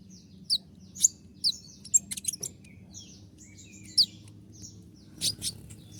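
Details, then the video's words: Konin (Oriental magpie-robin) song used as a master recording for training birds: sharp high whistled notes and buzzy bursts scattered at irregular intervals over a low hum. "dengan suara tembakan seperti ini pasti bikin kelas kicau koninmu melecit tinggi"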